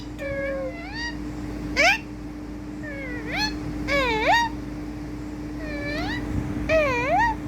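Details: Pet ringneck talking parrot, a rose-ringed parakeet, giving a series of rising, upswept harmonic calls like a cat's meow, repeated every second or so, over a steady electrical hum.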